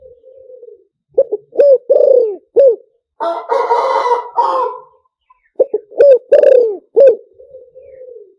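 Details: Spotted dove decoy song in the fast-luring lew tan style: low hoarse coos in two bursts of quick notes, each rising then falling, separated by a loud, harsh, harmonic-rich crow in the middle, with soft trailing coos at either end.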